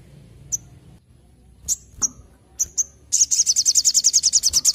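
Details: Olive-backed tailorbird (sogon) singing: a few sharp high chips, then a rapid, even trill of high repeated notes, about fifteen per second, in the final two seconds, over a low background hum.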